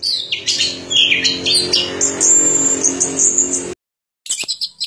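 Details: Varied high chirps and slurs from an orange-headed thrush lead into a long, thin sustained whistle. A short silence follows, then a few sharp chirps, with a low hum underneath.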